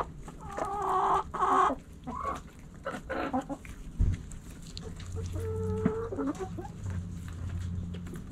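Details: Backyard hens and roosters pecking and scratching; a few loud clucks early, then quieter calls over a rumbling low-pitched background noise.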